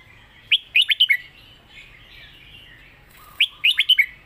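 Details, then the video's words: Competition red-whiskered bulbul in a cage with a clear, well-pronounced 'master song' style. Two crisp phrases of four to five quick, downslurred whistles sit about three seconds apart, with a faint warble between them. "เสียงดี''สำนวนชัด เพลงแม่บท/นกแข่ง#เสียงนกกรงหัวจุก"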